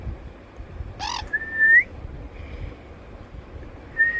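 A sun conure gives a brief harsh squawk, then clear, slightly rising whistles.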